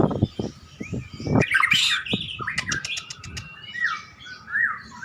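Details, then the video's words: White-rumped shama, a caged contest bird, warming up before a singing contest: varied whistled and chattering phrases with sharp clicks early on, later rising and falling whistles, over low thumping background noise. "murai batu pemanasan sebelum lomba"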